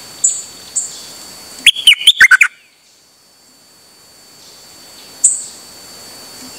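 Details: Dok Taeng bird singing on 8 September 2023, out on an outing and calling nonstop: a quick burst of five or six loud chopped, warbled notes, framed by thin high whistles before and after, then quiet.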